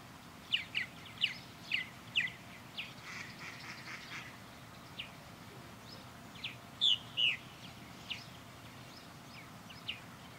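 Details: Purple martins flying around a backyard birdhouse: a few sharp chirps early on, a stretch of softer scratchy noise, then louder chirps again later over a steady background hiss.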